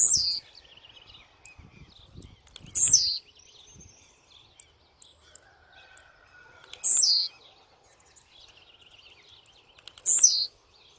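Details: A very aggressive blue-black grassquit gives three sharp, high, descending buzzy bursts roughly four seconds apart. Quiet high chips and a faint lower whistle fill the gaps.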